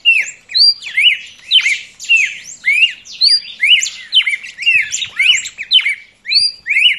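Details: A young red-crested cardinal sings a busy stream of chirpy whistled slurs, rising and falling notes packed closely together, barely pausing over several seconds.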